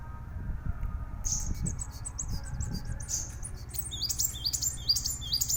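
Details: Plain sunbird, called kolibri wulung, begins after a quiet second with thin high chirps, then runs into a fast string of sharp, repeated down-slurred notes, over steady low rumbling noise.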